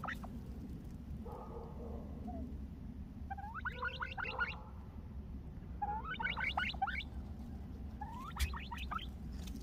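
A turkey hen gives three quick bursts of clucking, chattering notes, each about a second long and spaced two seconds apart, over a steady low rumble.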